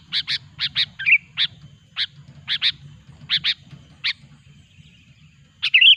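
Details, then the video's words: Loud, chatty sooty-headed bulbul sound used to lure wild bulbuls into traps: a run of short bright chips, mostly in pairs, broken by two brief warbled phrases, against quiet low background noise. "suara burung kutilang gacor pikat terampuh jitu"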